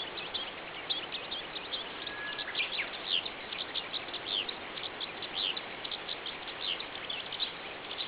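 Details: Early-morning song of a Eurasian skylark ascending skyward over rural fields in late May 2010; rapid, unbroken chatter of high twittering notes and short trills, with steady background hiss throughout.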